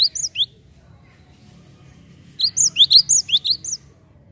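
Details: Java sparrow lure calls: two quick high chirps, a two-second gap of faint hum, then a lively run of about ten sharp, slurred chirps.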